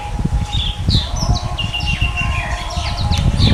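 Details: Orange-headed thrush delivering a dense stream of sweet whistled phrases, rising and falling slurs packed closely together, against strong low-pitched background noise and a constant hum.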